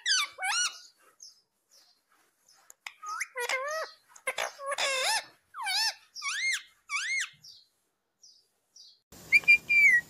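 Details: Indian ringneck parakeet, a green parrot, talking in a rapid string of high, harmonic, up-and-down syllables grouped in short word-like phrases, with pauses and a louder squeal at the end.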